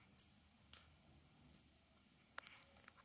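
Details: Male northern cardinal giving its mate call, three loud, sharp high chips at irregular spacing, with a soft tick and a quieter chirp near the end.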